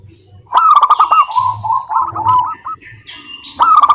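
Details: Local zebra dove lure song meant to prompt silent doves into singing: a quick run of bubbling, clipped coos, with crackling noise bursts and a low hum beneath.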